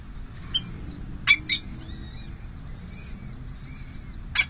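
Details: Peregrine falcons at the San José City Hall nest on 5 May 2022, during a difficult first feeding of two chicks: a few sharp, harsh notes and several drawn-out, thin, high wailing calls over a steady low city rumble.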